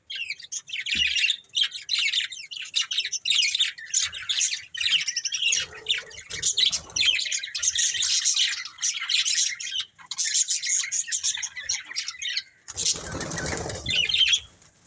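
Several budgerigars chatter nonstop in bright, scratchy chirps, warbles and squeaks.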